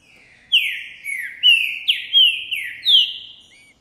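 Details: Green-winged saltator of the 'Boi' song type, a singing male displaying after seeing a female, recorded January 2024: a phrase of about seven loud whistled notes, each sliding downward, rising stepwise in pitch, with a short closing note.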